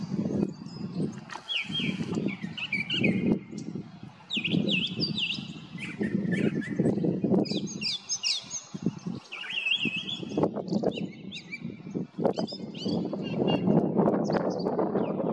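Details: Brown Thrasher singing on 8 May 2022 (Mother's Day), a long run of varied, bright phrases, many given in quick pairs, over a steady low rumble of wind or distant noise.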